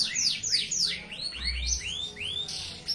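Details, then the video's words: Canary song: a run of rapid downward-swooping whistles repeated about every quarter second, shifting into longer rising arched notes, with a low hum in the background. "kicau merdu burung kenari gacor"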